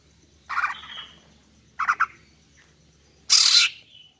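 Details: Greater green leafbird, female call used to lure and stir up males: three bursts of harsh, chattering notes, each under half a second, separated by quiet gaps, the last one loudest and buzzy with a trailing whistle.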